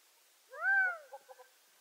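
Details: Gambel's quail giving a single loud, drawn-out arched note that rises and falls, followed by three short soft clipped notes; otherwise quiet background.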